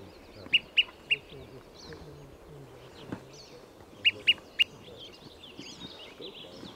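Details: Olive-sided flycatcher at Trujillo Meadows Campground, Conejos County, Colorado, on 6 July 2017 gives sharp, high pip-pip-pip notes in two quick bursts of three, with faint birdsong in the background.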